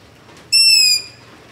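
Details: A single long-eared owl begging call recorded in darkness near a house with a ZOOM H5 and LOM Usi Pro: one loud, thin, squeaky whistle lasting about half a second, dropping slightly in pitch, against soft hiss.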